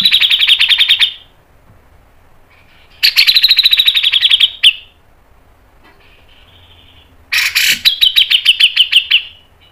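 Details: Cucak jenggot, or Grey-cheeked bulbul, singing three long, rapid phrases of bright, evenly pulsed notes, each lasting one to two seconds, with quieter gaps in between.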